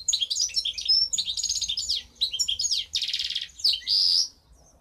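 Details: Goldfinch hybrid (mixto de jilguero) from 2015 singing a fast, varied twittering song of high chirps and slurred notes, with a buzzy trill near three seconds and a bright rasping phrase before falling quiet.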